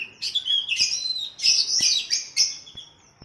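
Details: Captive-bird training song of an oriental magpie-robin paired with a sooty-headed bulbul. Dense, continuous high warbling of sweeping whistles and scratchy notes, with sharp clicks standing out.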